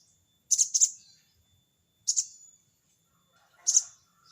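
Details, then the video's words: Calling a rival, a sogon bird utters crecet cerecet: a rapid double rasping burst, then a pair of buzzy notes trailing off, then a single harsh chirp, all high-pitched. "burung sogon bunyi crecet cerecet!!sogon manggil lawan!!"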